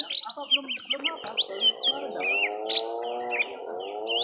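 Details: Young lesser green leafbird in a drawn-out fight: a tumbling jumble of chirps, slurred whistles and chatter, loudest at first, then thinner notes over a rising humming drone.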